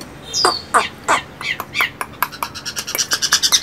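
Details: Chinese hwamei kept as a cage bird, giving harsh buzzy notes that speed into a fast rattling series of repeated short notes.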